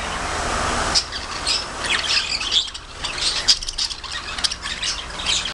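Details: Budgerigar producing rapid squawks, squeals and chirps in irregular bursts, high and raspy, with a noisier rushing sound in the first second and a low steady hum underneath.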